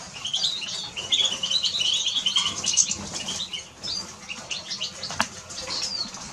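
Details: Rapid chattering twitters from a Eurasian siskin, loudest in the first three seconds, then sparser high notes punctuated by sharp clicks.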